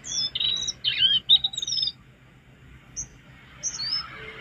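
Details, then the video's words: Jongkangan song used as a master recording for training cage birds: a burst of high, thin whistled chirps and short slurred notes in the first two seconds. A few brief whistles follow after a pause, with faint insect-like hiss beneath. "Masteran jongkangan gacor isian"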